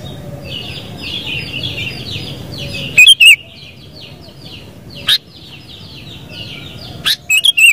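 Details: Sooty-headed bulbul giving loud, bubbly whistled phrases at about three, five and seven seconds. Each phrase is two to four quick notes over a steady background chatter of other birds.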